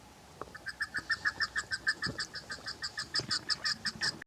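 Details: Female chukar partridge, kept for hunting, giving a rapid series of short, clipped, mid-pitched notes at a steady pace, about three per second.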